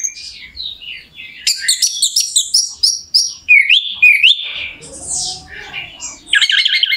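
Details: Orange-headed thrush singing, used as a lure to rouse another thrush so it sings quickly; rich varied phrases of high chirps and clear whistled notes, some rising and stepping, with a brief pause midway and a low rumble beneath.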